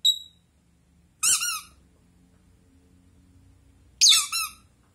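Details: Pet blue Rosy-faced lovebird kept indoors, chattering back at a toy duck: two harsh, shrill, buzzy squawks about three seconds apart, with a faint high note at the start and a quiet room between calls.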